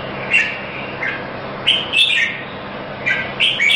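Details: Singing red-whiskered bulbul, first-place winner at a Singapore competition, giving scattered short whistled chirps and quick rising notes separated by gaps, over hissy background noise.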